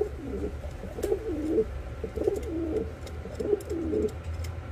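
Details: A yellow pair of Reversewing Pouter pigeons from the Philippines: low, rolling coos repeated about every second, each a wavering phrase with a steady background hum.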